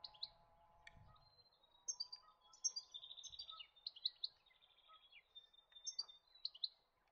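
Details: European goldfinch twittering in quick, liquid bursts of high tinkling and buzzy notes, some slurred and rising, coming in clusters every second or so against a faint low hum.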